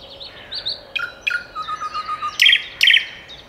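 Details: Common nightingale singing, recorded with a RODE VideoMicro on a Sony camera: a varied phrase of short whistled notes near the top, then a run of level repeated notes, ending in two loud buzzy, rattling bursts.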